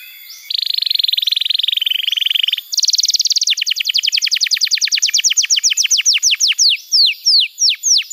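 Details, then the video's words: Young-canary training song: a two-second buzzy rattle, then a crisp fast trill that decelerates into widely spaced, falling sweeps. "Masteran Kenari PAUD & Pancingan Kenari MACET BUNYI"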